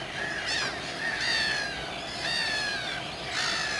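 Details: Common tern calls at RSPB Saltholme, 17 July 2012, recorded on a Canon 7D: four harsh, drawn-out descending screeches about a second apart, over a steady hiss of background noise.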